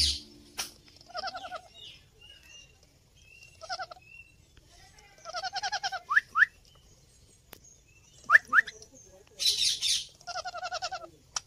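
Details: Baby ring-necked parrots give harsh, buzzy, stuttering bursts about half a second long, repeated every few seconds, with a few sharp rising squeaks and soft rustling in between.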